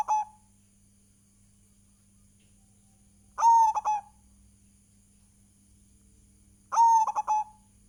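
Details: Local zebra dove cooing in a lure recording meant to set other doves singing. A crisp, ringing coo breaks into rapid stuttering notes, two full phrases about three seconds apart, with only a quiet background hum.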